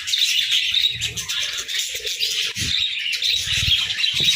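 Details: Budgerigars chirp in harmony on a morning, a flock's constant high warbled chatter with scratchy squeaks layered over faint low bumps and fluttering.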